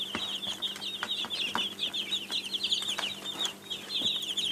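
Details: Baby chicks give a steady stream of thin, piercing cheeps, overlapping continuously, with occasional louder peeps, light knocking clicks and a faint steady hum.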